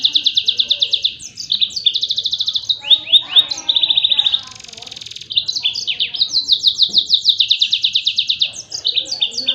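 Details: Continuous Yellow-fronted canary song meant for tutoring other songbirds: nearly unbroken high, fast trills switching between pitches, with one buzzy rattling stretch midway, then more rapid pulsed trilling.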